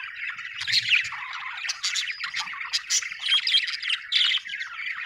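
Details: A budgie, an Australian bird, chatters happily in quick squeaky chirps and buzzy trills, loud and unbroken, with a soft low rustle near the start.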